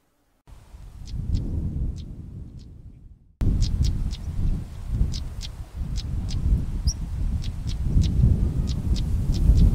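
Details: One of a pair of European stonechats gives sharp, hard clicking ticks, like two pebbles knocked together, repeated every half second or so over a heavy rumble of wind.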